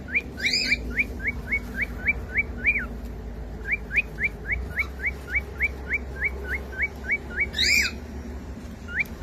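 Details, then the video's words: Pet cockatiel chick, sung to entertain another bird: a fast, even series of short rising chirps, about three to four a second, in two long runs over a soft background hiss. "SOM DE CALOPSITA CANTANDO PARA ENTRETER E ACOMPANHAR SUA AVE"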